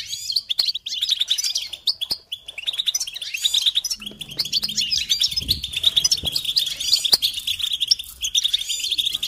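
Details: Goldfinch song from a tape for teaching chicks: continuous bright twittering and tinkling trills with sharp clicks, plus a faint low hum midway.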